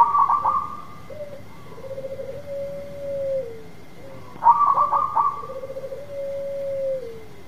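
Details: Energetic local zebra dove singing to prompt a silent dove into song: two full phrases, each opening with loud clipped notes and ending in a long, lower, bubbling trill that dips at the end.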